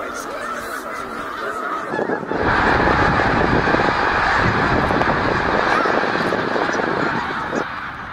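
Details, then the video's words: A vast flock of snow geese on migration at Middle Creek, Pennsylvania, 2023: moderate honking swells suddenly after two seconds into a loud, roaring chorus that holds steady before easing slightly at the end. "Eighty thousand Snow Geese Migration in Middle Creek 2023 / Snow Geese Bird Tornado"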